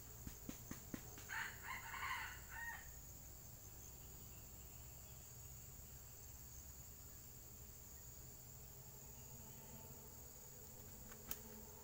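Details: Wild red junglefowl during a luring session: a brief ragged crow of about a second and a half follows a few sharp knocks, then only a constant insect drone and faint background hiss remain.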